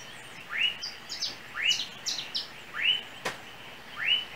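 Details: An unidentified small yellow, apparently seed-eating bird in Trinidad, on overhead lines near a home, gives bright upslurred chirps about once a second, with thin, higher notes slipped between them and one sharp click.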